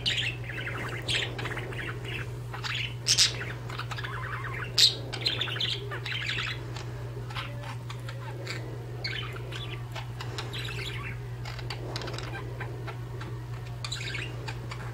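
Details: Two pet budgerigars chatter with quick, scratchy chirps and squeaks while playing with blind strings and grooming one another, over a steady low electrical hum.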